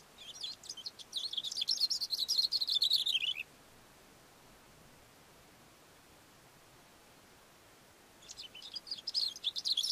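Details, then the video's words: Cape grassbird singing from a rock on a mountain slope, delivering a three-second run of quick, high chattering notes that sinks in pitch at the close, followed by a quiet gap and the start of the next rapid phrase. "Cape Grassbird singing"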